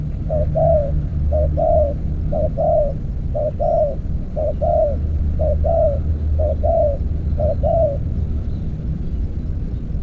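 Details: Steady cooing of a spotted dove during decoy trapping with an earthen trap cage: eight paired phrases, a quick note then a wavering longer coo, about one per second over a low engine-like drone.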